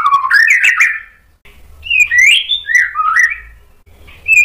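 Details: White-rumped shama song for provoking other shamas: slurred whistles mixed with harsh clicks, a pause, then a flowing descending whistled phrase and a final short high note.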